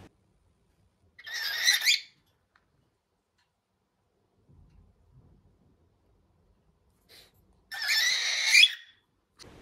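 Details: A cockatiel gives two harsh, raspy screeches, an angry scream of annoyance or territoriality meaning "get away from me".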